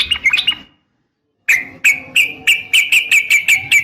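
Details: Sooty-headed bulbul female calling a male, fighting style: a quick trill, a pause, then clear whistled chirps repeated about three times per second.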